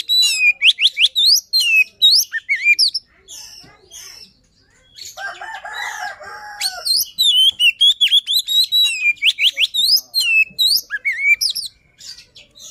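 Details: Shama luring song made of dense, rapid volleys of high, steeply sweeping whistles and clicks, broken by a brief lower rasping note midway, then resuming in quick, loud, chattering bursts.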